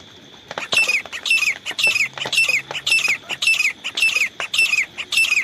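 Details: Loud, steady series of grey francolin calls, as used by hunters. Each call is a grating burst with a falling whistled end, repeated about twice per second throughout.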